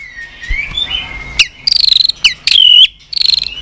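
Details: White-rumped shama with 'tạch' fighting song for stimulating a weak-spirited bird: a thin rising whistle, then high buzzy trills in short bursts broken by sharp clicks.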